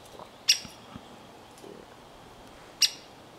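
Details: A great spotted woodpecker (Dendrocopos major) fledgling hops clumsily on a pine and calls. It gives two sharp, high 'kik' notes a little over two seconds apart against a quiet background; fledgling calls.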